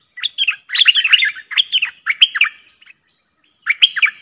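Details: Dueling pair of Streak-eared bulbuls, 30 October 2021: choppy phrases of bright, slurred chirps, a short gap, then a final quick flurry of notes.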